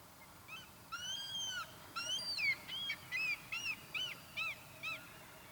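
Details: Common redshank on the Afsluitdijk, Netherlands, in January 2012, giving loud, ringing whistles: a long drawn-out note, then a quick run of short, downslurred 'tyu' notes, about two or three a second, over quiet background.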